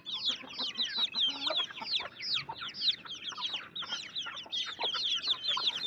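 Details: Loud, busy chirping from a group of baby chicks: high, sliding peeps tumbling over one another almost without pause across the whole stretch.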